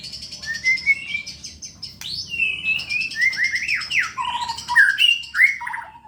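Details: White-rumped shama, a contest-ready bird in full song, delivering a rich run of varied whistled phrases: clear slurred notes, sharp upward sweeps and falling glides, mostly mid to high pitched, with barely a pause between phrases.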